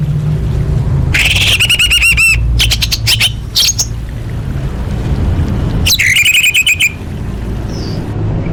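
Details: A female orange-headed thrush calling males, intended to rouse birds that have stopped singing. Two bursts of rapid, buzzy, stuttering rattles are separated by sharp clicks and a pause, over a continuous low hum.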